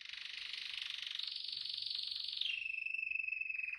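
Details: Continuous canary song: a fast, rolling trill of about four notes per second that starts broad and buzzy, then narrows and slides down into a clear, steady whistled trill.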